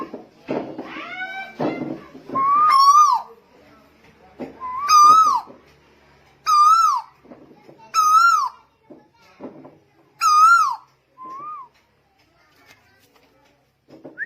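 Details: Tuwu bird from Lombok, recorded in 2021, singing persistently: clear whistled hoot-like notes, each wavering upward then dropping, repeated about every two and a half seconds in five strong phrases, with faint background murmur.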